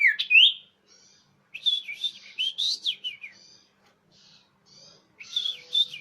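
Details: Common iora calls used as a lure, clear and loud: sharp rising whistles, then a chattering cluster of slurred notes, quiet buzzy pieces and a final burst of chirps.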